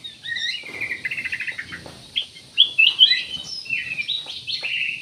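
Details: Black-naped oriole in energetic song, used as a lure for other birds to sing: a buzzy trilled run opens, followed by loud sharp chirps and rising slurred whistles in quick succession.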